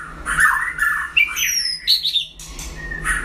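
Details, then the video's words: White-rumped shama in a singing duel with a rival, giving rich warbled phrases, thin high slurred whistles and short sharp notes, with brief pauses between; a faint low hum sits underneath. "File Lửa đấu solo (shama bird)"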